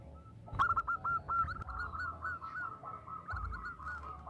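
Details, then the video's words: Zebra dove female calling for a male, heard faintly at some distance as a continuous run of soft, bubbling coos over background noise and a few clicks. "Suara Perkutut betina Memanggil Jantan"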